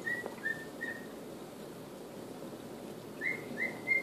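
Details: A male cockatiel kept as a pet tries the Andy Griffith theme: three soft whistled notes, a long quiet gap, then three louder rising whistles.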